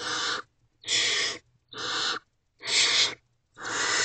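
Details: Young barn owl in a nest box at night, 1 May 2023, calling for a parent's attention with loud, breathy, rasping hiss-screeches, five bursts of about half a second each, separated by short silences.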